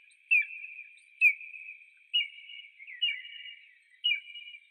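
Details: Repeated piercing whistles from an eagle, each note starting with a sharp onset and fading into a long, even tone, about one per second.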